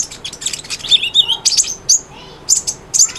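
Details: Short burst of lively Cinereous tit song for coaxing a quiet bird: a blurred high chatter followed by a few separate whistled and buzzy notes with short pauses.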